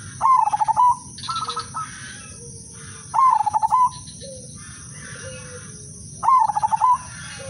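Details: Zebra dove of the udanmas silver type gives a melodious lure song meant to set other zebra doves singing: three bursts of rapid pulsed cooing notes, each under a second, about every three seconds, between softer trilled phrases from other doves and a steady high whine.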